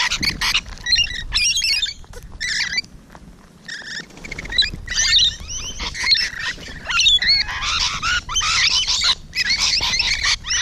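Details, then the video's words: Rainbow Lorikeets close by on a June 2017 morning, 12 June, producing loud raspy screeches in clustered bursts separated by brief gaps, many birds overlapping. "Rainbow Lorikeet Close Encounters"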